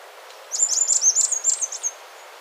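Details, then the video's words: Slaty flowerpiercer song: a rapid, very high-pitched twittering run of thin jumbled notes lasting about a second and a half, steady in pitch with sharp little flourishes, over faint background hiss. "O canto do Perfurador de flores xistoso"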